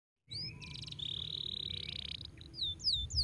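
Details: Canary song used as a tutor recording to help a young canary learn to roll quickly: a sustained buzzy trill near one pitch, then a few rapid high descending whistled slurs, over a steady low hum.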